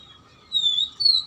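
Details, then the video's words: Oriental magpie-robin song meant to coax a lazy bird into singing: two long pure whistles, the second slightly higher, over a faint constant hum. "PANCINGAN KACER MACET & MALES BUNYI AGAR JADI KACER RAJIN GACOR NGOBRA"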